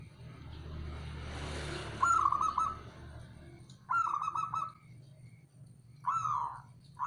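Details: Local male zebra dove calling: three separate bursts of soft, fluttering mid-pitched coos about two seconds apart, over a steady low rumble and a brief airy hiss at the start.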